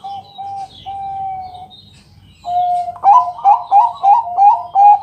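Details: Loud, clear song of a Bangkok-type zebra dove, played at night to lure other doves to sing: smooth level coos, a pause, then six or seven quick, ringing, upward-flicked coo notes.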